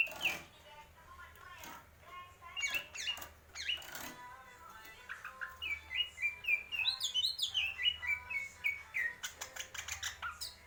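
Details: Greater green leafbird with a long, rich song: chattering and clicking passages give way to fast runs of high whistled notes that rise and fall, ending in a dense twittering flourish.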